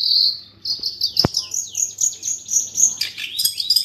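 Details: Long-tailed shrike training song in the 'speed rapat roll tembak' style: an opening shrill buzz, one sharp click, then quick slurred whistles sliding down, running into a high trilling jumble near the end.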